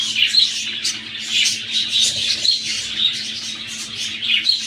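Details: Budgerigar breeding pair as egg-laying time arrives: busy, scratchy high chatter in uneven pulses, with brief bright squeaky notes throughout and a faint low hum in the background.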